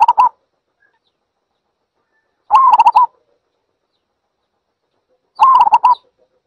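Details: Repeated zebra dove calls: the tail of one phrase, then two full phrases nearly three seconds apart, each a held wavering coo followed by a fast stuttered series of soft notes.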